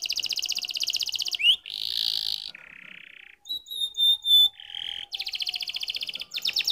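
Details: Varied canary song: a quick trill, a rising slur, a buzzy block, a lower drawn-out buzz, clear whistled notes, then rapid trills again.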